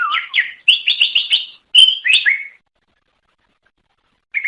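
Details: Greater green leafbird, a melodious songbird native to Indonesia, singing to lure others of its kind: rapid whistled notes around a fluttering phrase of four quick repeated chirps, then slurred downward whistles, a pause and a brief final note.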